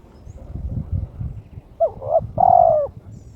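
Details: Single low cooing phrase from a kept spotted dove in breeding condition challenging a rival: two short hooting notes and a longer drawn-out falling coo after a second and a half of rumbling background.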